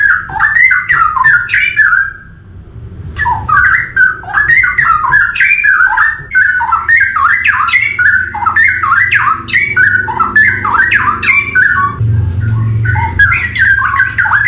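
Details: Forest straw-headed bulbul in song, pouring out rolling, liquid warbled phrases almost without a break after one brief pause near the start. A low rumbling hum runs underneath.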